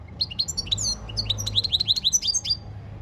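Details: European goldfinch training song: a continuous three-second stream of sharp, twittering chirps and short trills, delivered rapidly over a low background hum.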